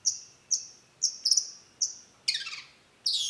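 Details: Long-tailed shrike (cendet) repeating thin, very high piping notes about twice a second, then shifting into harsh scratchy and buzzy phrases near the end.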